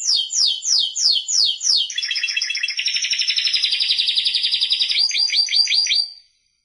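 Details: Timbrado canary singing: a series of quick downward-sweeping notes repeated about five times per second, shifting into a long continuous buzzy roll, then bubbling rapid notes before the phrase stops abruptly.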